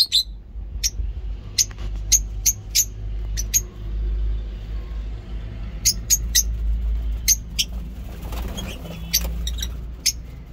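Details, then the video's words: Scattered bright, piercing chirps from lovebirds at a mini zoo, given singly and in small clusters across ten seconds of morning calling, over a steady low rumble of background noise. "Lovebirds Sound in mini zoo"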